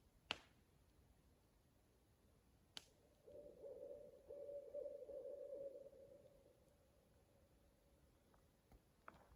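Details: Owl heard at night from a campsite with a campfire in a national forest, shortly after sunset; a single sustained even tone of roughly three seconds, echoing, framed by sharp pops and crackling from the fire.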